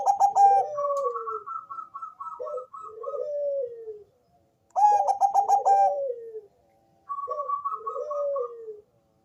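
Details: Zebra dove of the Bangkok type, deep and bassy, sung to lure other doves into calling: two full phrases, each opening with rapid staccato clicking notes over a higher pulsed trill, then sliding, falling coos, separated by brief silences.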